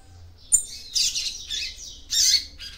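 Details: Loud, scratchy, high twittering bursts from a female yellow-bellied seedeater calling to stimulate the male, in two main phrases separated by a short dip.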